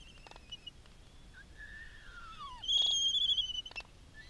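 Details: Black-footed albatross chick being fed by a GPS-tagged adult at Midway Atoll. Soft wavering whistles give way to a long, downward-sliding whistle, then a loud, high, quavering whistle burst, framed by a few clacks.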